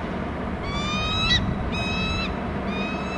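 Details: Bald eagle chick on a Hornby Island nest calling as its father brings food: drawn-out high whistled notes, slightly rising with a sharp upturn at the end, three phrases in quick succession over low wind noise.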